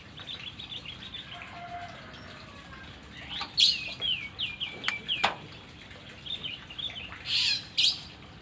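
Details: Murai batu, a white-rumped shama being trained for longer song: quick runs of short repeated whistled notes, then bright buzzy bursts near the end, broken by a few sharp clicks.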